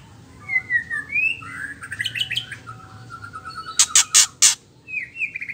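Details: Female White-rumped shama ketrekan, used to rouse males into song: rising whistles and a twittering chatter, then three strong raspy bursts, and more whistles at the end.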